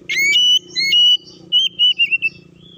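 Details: Oriental magpie-robin (kacer) song used as a provocation lure: several sustained clear whistles and a wavering trill-like phrase, with a low steady hum beneath.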